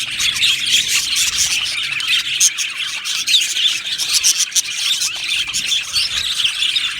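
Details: Budgie colony in an aviary, many Australian parakeets singing at once: a long, even stream of bright chirps, squeaks and scratchy warbling, with short louder bursts scattered through it.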